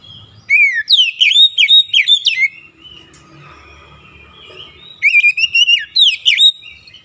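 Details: Oriental magpie-robin in persistent varied song, two bursts of rapid whistled and slurred notes separated by a quiet pause, phrases sweeping up and down at high pitch.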